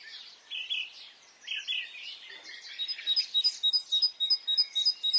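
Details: Spring dawn birdsong in Brittany: mixed warbling and chattering phrases for two seconds, then a clear, evenly spaced run of high double notes, about three each second.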